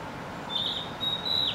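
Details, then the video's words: Narcissus flycatcher singing from a tree in Gifu Prefecture, Japan, in May 2024: two high, steady whistled notes, the second longer and ending in a slight downward slur, over soft background hiss. "キビタキの鳴き声 Songs of Narcissus Flycatcher Ficedula narcissina"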